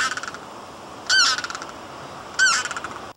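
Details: A Limpkin feeding on apple snails in the shallows gives its banshee-like, strangled-sounding call: two loud, harsh, wailing screams about a second and a half apart, each strained and slightly falling, over a steady background hiss.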